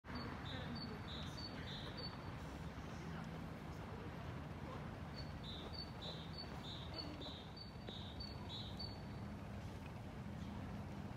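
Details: Great tit singing in an empty town square, Stora torget in Sundsvall, Sweden, on 11 February 2024; clear two-note phrases, higher note then lower, repeated in two bursts over a steady low rumble of town traffic.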